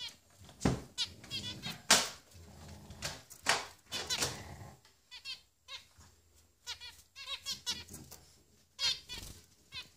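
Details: Three finch nestlings in the nest calling for food: repeated short, high, scratchy chirps in irregular bursts, some louder clicks and rustling thumps between them throughout.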